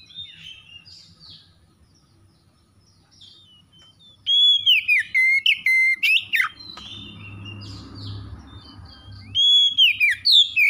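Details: Magpie-robin song, gacor style: quiet scattered high notes, then loud choppy whistled phrases with sliding notes, a pause over low rumbling noise, and more loud whistles at the end.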